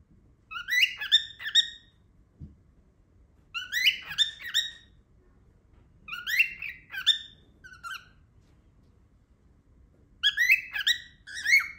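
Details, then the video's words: Loud cockatiel calls indoors, the bird seeming to try to say a word: bursts of harmonic, upward-sweeping whistled squawks in clusters of three to five, repeated every three seconds with quiet gaps between. "Cocktails makes loud noises #cockatiel"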